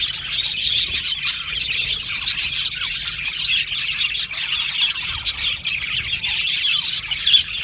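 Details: Aviary colony of budgies singing and chirping: many overlapping high, twittering notes and short squawks form a steady bright chatter, with slightly louder chirps near the end.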